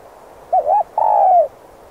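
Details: Spotted dove kept as a decoy to call in wild doves, giving a short two-part wavering coo followed by a longer, steady, slightly falling coo, clear against a quiet background.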